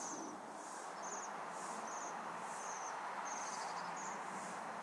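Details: A group of waxwings feeding on berries in a tree in December 2023 gives short, very high, shimmering trilled calls, about one every half second, over constant background noise.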